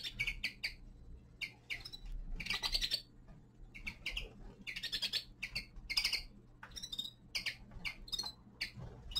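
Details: Young male common linnet singing in winter: quick bursts of dry, chattering twitters and bright chirps, some grouped in rapid buzzy runs, separated by short pauses, over a faint low steady hum.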